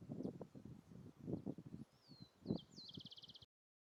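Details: Volcano hummingbird on Volcán Irazú in Cartago, Costa Rica: thin, high sweeping squeaks, then a fast buzzy trill of evenly spaced notes near the end, over low rustling and wind rumble.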